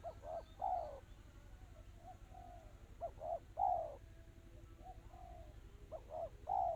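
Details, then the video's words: Cooing song of a spotted dove, 'kristal rapat cepat' style. Three phrases, each a pair of brief notes then a stronger falling coo, come about every two and a half seconds, with soft murmured notes between and a low background hum. "Suara burung tekukur kristal rapat cepat"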